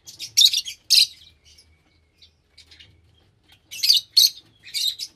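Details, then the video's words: Lovebirds utter loud, grating, high screeches in pairs, pause for about two and a half seconds, then resume with three more harsh, scratchy shrieks. "Love Birds Nature Sound"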